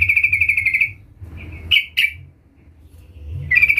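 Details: Lively sooty-headed bulbul (trucukan) calling out a rival, meant as a lure: a rapid rattling trill, a pause, two sharp emphatic notes, then the trill resumes.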